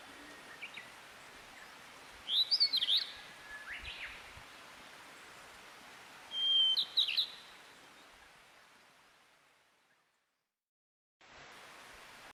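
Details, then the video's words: A wild niltava gives two brief bursts of high, thin, sweet notes a few seconds apart, over a steady wash of broadband background noise. "burung niltava gacor liar"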